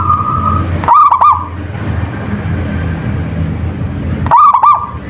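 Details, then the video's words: Local zebra dove, a prolific singer, used to coax other doves into singing: two quick phrases of soft, rolling, rapidly repeated cooing notes, separated by about three seconds of steady background rumble. "perkutut lokal gacor / suara merbok suara perkutut merdu"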